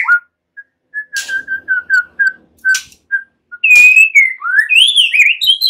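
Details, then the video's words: White-rumped shama in relaxed song with mimicry of cililin and ciblek (bar-winged prinia), as a training lure: a steady series of soft level whistles with a few clicks, then louder rising and falling slurred whistles. "Ocehan SANTAI MURAI BATU, NEMBAK CILILIN SAMBUNG CIBLEK"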